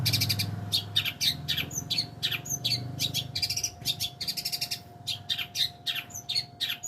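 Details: Long-tailed shrike in a fast, varied song: dense runs of scratchy chirps, buzzy trills and brief whistled notes packed closely together, with low background rumble and a steady hum.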